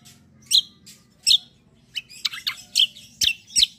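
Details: Black-winged myna, known locally as cucak kombo, in a vigorous rolling 'ngeroll' song style, described as sparring; harsh, buzzy bursts high in pitch come in irregular pairs and clusters over a faint low hum.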